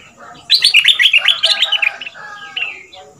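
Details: Southern Thai Red-whiskered bulbul, a two-month caged decoy bird with a fierce double-style voice, pours out a loud, fast, jumbled warble of chirps lasting about one and a half seconds, then a softer closing phrase, played for fledglings to imitate.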